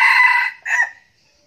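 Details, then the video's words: Close, loud crow of a red junglefowl kept as a decoy bird in Bình Phước, Vietnam: a strained, rasping first phrase, a brief gap, then a shorter falling tail, with silence after. "Gà rừng mồi siêng gáy"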